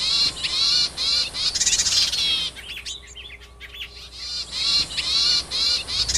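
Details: Yuhina out in nature gathering food for its young, giving strings of buzzy, harmonic-rich high calls at about two or three per second, with a quieter middle stretch of sharp, scattered chirps.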